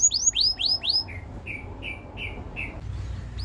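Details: Canary song for training: four loud swooping whistles followed by softer short chirps repeated about twice per second over light background hiss.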